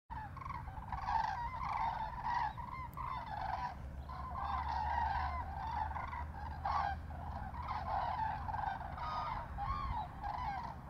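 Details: A flock of common cranes in flight over the Tiétar river in autumn trumpet constantly, loud rolling notes overlapping without pause over a low steady rumble.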